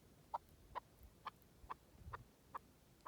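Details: Partridge in the wilderness uttering single short clucks, evenly spaced about every half second, seven in all against a quiet background.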